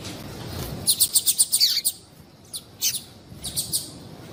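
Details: Female double-collared seedeater giving calls meant to stimulate males: a rapid run of about eight bright, high chirps, then a falling slurred note, and later scattered pairs and trios of chirps against quiet background hiss.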